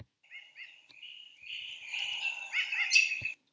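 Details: New Caledonian crow call, the first in a sample recording, annotated as a double call: a few short clipped notes, then longer buzzy, harmonic-rich calls that grow louder toward the end, with a sharp click at the close.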